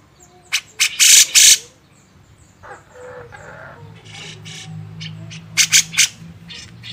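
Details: Grey-cheeked bulbul on a training master: a few sharp rasps and two very loud harsh blasts early, then a long quieter stretch with a low steady hum, and a final trio of scratchy calls.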